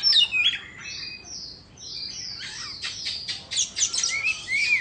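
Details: White-rumped shama, Indo form, in song while doing a tail-fanning dance: high whistled slurs followed by a burst of rapid chattering notes and upward-sweeping whistles.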